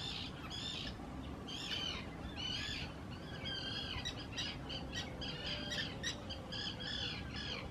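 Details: Common terns calling noisily while courting and taking nesting areas on built islands beside the visitor path, Hula Nature Reserve, Israel, spring 2018: dense overlapping grating squawks from several birds, almost continuous, over low rumbling background noise.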